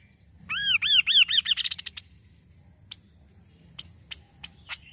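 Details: Kaso kaso call used to stimulate the bird to sing: a loud run of arched, down-curving whistles repeated rapidly, accelerating into a quick high chattering trill, then silence broken by a few sharp high clicks.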